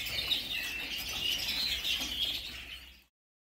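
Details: Captive redpolls chatter in a bird room, a fast string of thin, high chirps running for about three seconds before the sound cuts off.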